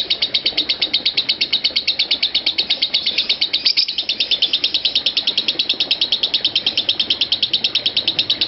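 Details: Nonstop lovebird ngekek: piercing, closely packed chirps rattling on without a pause, suited as a master recording to train lovebirds and extend their ngekek duration.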